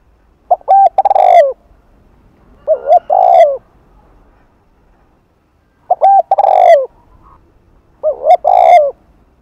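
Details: Spotted dove, afternoon, 'Hạp Bổi' voice with thúc and gù phrases, used to attract other doves: four loud low coo phrases, each short clipped notes then a longer rolling coo, about every two to three seconds, quiet background.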